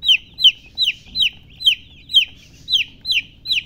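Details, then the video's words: Chicks, baby chickens, peeping loudly: nine sharp, high-pitched chirps that sweep downward, spaced evenly at about two and a half per second, with a quiet background. "silly chicken chirping sounds with murgi hen color chicken"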